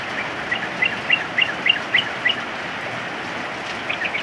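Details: Yellow-vented bulbul singing in the rain: short bright chirped notes repeat about three or four times a second, partly masked by the steady hiss of heavy rainfall.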